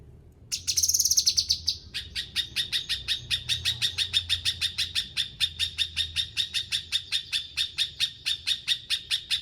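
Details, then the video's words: Bulbul opening with a loud, high buzzy burst, then settling into a long run of rapid, evenly spaced sharp notes at a steady pitch, about three per second. "Cucak kinoi gacor"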